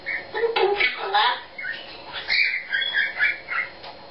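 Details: Pet eclectus parrot singing its own made-up song indoors: a rambling mix of warbled, whistled and chattering phrases that rise and fall, with short louder bursts.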